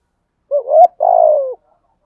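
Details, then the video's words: Spotted dove, decoy cooing in the 'giọng thổ' style, both females and males, used to stimulate other males to sing: one phrase of a short rising coo then a longer, buzzy, gently falling coo, otherwise silent. "cu gáy giọng thổ thúc gù/ chim cu gáy giọng thổ bài bản gù đấu/ chim cu gáy kích bổi nhanh nổi"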